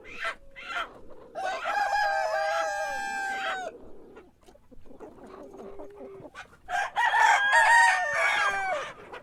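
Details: Cock crowing in the morning: two long harmonic crows with a stuttering start and a sustained, slightly falling end, separated by a quieter gap with softer background calls.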